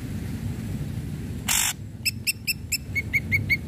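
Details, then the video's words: Ashy drongo song meant to provoke silent drongos to sing: a harsh rasp followed by quick paired chips and then a steady string of short, even notes. "Srigunting Abu Abu Gacor"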